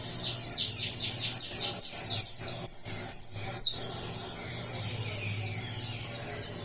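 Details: Saffron finch leaving its moult, 20 July: a lively run of shrill, high chips and short slurred notes, dense at first and then thinning into softer twittering, with a constant low hum behind.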